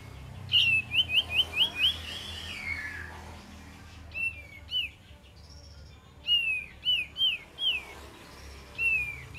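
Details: Kapas tembak song played as a lure: a rapid run of five bouncing whistled notes, then spaced pairs and triplets of looping whistles over low hum and hiss.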